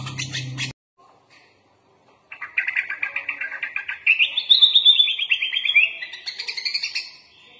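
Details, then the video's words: Kutilang, the sooty-headed bulbul, in full isian song: after a dull knock and a pause comes a long run of fast, even chattering notes that rise into a brighter, trilled phrase and end in high twittering. "MASTERAN BURUNG KUTILANG FULL ISIAN LENGKAP"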